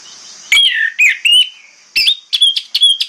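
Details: Orange-headed thrush song at morning, meant to lure other thrushes into answering: a sharp onset, then several sweet, slurred whistles, followed by a quick series of short, bright phrases about every quarter second, over a faint high hiss.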